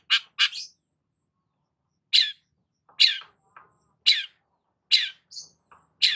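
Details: Long-tailed shrike giving sparse, harsh chirps and rasps spaced about a second apart, with faint high thin whistles between them.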